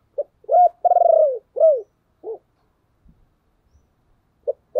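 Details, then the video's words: Cooing spotted dove used to call in other doves: a clipped opening note, a rising coo, a long vibrating descending coo, then two shorter falling coos, followed by quiet and the start of another phrase. "cu gay kich boi nhanh noi/ gáy gọi cực đỉnh"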